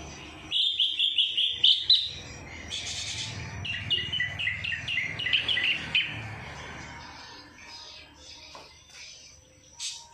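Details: Greater green leafbird singing in kapas tembak filling style: a fast trill of whistled notes, then buzzy bursts and a chattering run of short chips that fades into quieter scattered notes.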